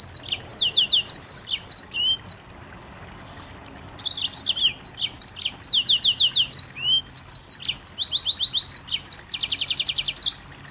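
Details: A Mozambique canary sings tightly packed phrases of high chirps and falling slurs, breaks off for about two seconds, then resumes with quick note series and finishes with a fast rattling trill.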